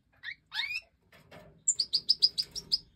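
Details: Goldfinch Major chicks, five fledglings out of the nest in an aviary, fed by the hen: a few rough notes, then a quick run of high, even, piercing begging cheeps.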